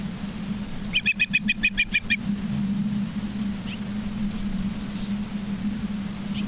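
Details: Nest-cam recording of an Osprey at Charlo, Montana, 19 September 2023, 20:14: a short burst of about seven quick, high whistled chirps, then only a constant low hum and faint background.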